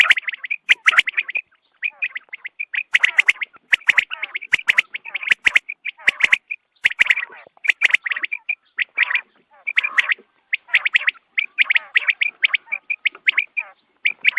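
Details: Morning quail calls used for hunting: a long, busy run of harsh, chattering notes and sharp clicks, with only short pauses, suggesting a group of birds calling at once.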